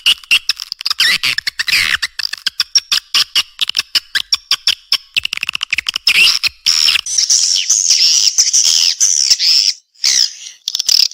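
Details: Swiftlet response call: rapid ticking clicks running into long, shrill, buzzy twittering chatter that continues almost without pause.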